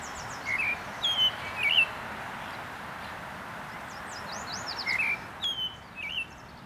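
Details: An American robin at Huntington Central Park, Huntington Beach, California, sings two bursts of short, clear, rising-and-falling whistled notes a few seconds apart, with faint high squeaky notes, over a steady hiss.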